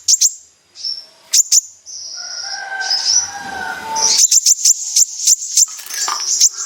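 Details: Kolibri ninja sunbird, recorded as a lure to set other sunbirds singing. Very high clipped notes in short bursts, with a thin sustained whistle and fainter lower warbling between them, and a quick run of bright chips near the close.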